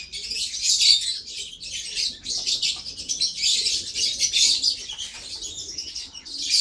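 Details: Lovebird producing continuous shrill chatter, rapid scratchy chirps and squeals pulsing in rough phrases about every half second to second.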